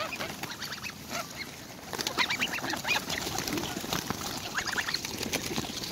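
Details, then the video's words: Four greylag goslings near their parents, demanding food while being hand-fed; many thin peeping and squeaky calls overlap in rapid bursts, with rustling and handling noise throughout. "GREEDY GOSLINGS near GREY GEESE PARENTS being fed"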